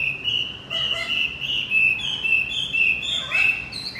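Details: High, sustained whistled warble of Javan white-eye, played to get a male that has stopped singing to sing again; notes run together with slight wavering and a rising flourish at the end.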